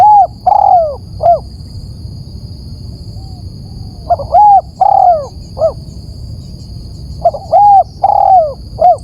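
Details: Spotted dove calling, recorded as a lure to attract birds: groups of loud, hollow coos with short rising-falling notes and a longer drawn coo, repeated in three bursts about three seconds apart over a steady electrical hum.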